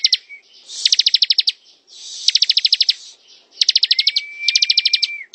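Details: Bar-winged prinia, singing ngebren: four rapid series of crisp, high, metallic ticking notes about eight per burst, with a steady drawn-out whistle slipping in between series and little background noise.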